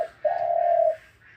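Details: Captive spotted dove, said to call throughout the day. A short low note is followed by one long, smooth, level coo lasting under a second, in a quiet setting.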